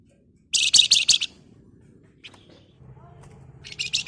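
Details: Sunda warbler (wergan jawa, flamboyan), lively gacor ngebren singing used as a lure for flock birds: a short burst of dense, high buzzy chattering notes, then a pause and another buzzy burst at the end.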